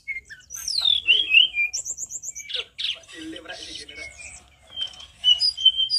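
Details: Sunda Bulbul (mountain bulbul), a loud master-song recording used to prompt other bulbuls to sing, pouring out a varied song of slurred high whistles, quick trills and chattering notes, with brief pauses between phrases.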